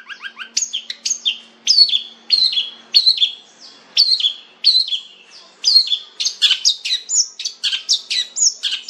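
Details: Long-tailed shrike, called cendet locally, singing a rich, varied phrase: descending chirps and sharp whistled notes repeated in quick series, speeding up into dense, sweeping high notes toward the end. Faint low hum in the background.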